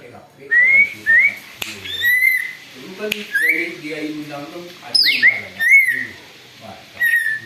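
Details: Greater green leafbird calling noisily, described as mimicking an eagle for luring: a string of upslurred whistles at similar pitch, one coarse downward rasp midway, and a low, voice-like murmur in the background.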